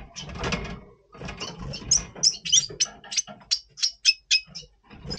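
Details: A Double Pastell red siskin sings in breeding mood before breeding, November 2023: a rapid string of high, thin chirps, several per second, following a burst of low rustling and scraping at the start.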